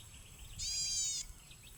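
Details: A single harsh, nasal, strongly harmonic note lasting about half a second comes from an unidentified bird said to be singing very actively, against faint low background noise.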